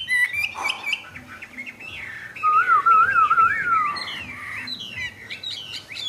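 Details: A tame caged hwamei delivers clear whistled phrases, including a pure, wavering mid-pitched warble lasting over a second, followed by shorter rising and falling high notes.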